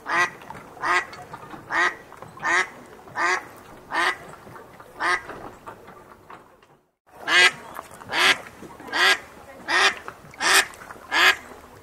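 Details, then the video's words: A full-grown duck quacks in a long, regular series of coarse nasal calls, a short break near the middle, then the quacking continues at the same pace. "duck sounds"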